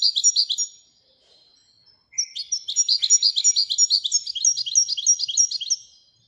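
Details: Royal European goldfinch song: a quick twittering phrase, a brief pause, then a long run of rapid, bright, rattling chirps repeated several times a second, high-pitched and liquid.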